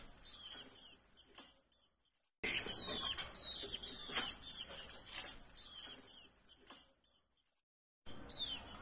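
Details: A female green-winged saltator soliciting mating in breeding season, used to get males ready fast, gives rapid bursts of high, thin, downslurred chirps and squeaks, broken by sudden silences.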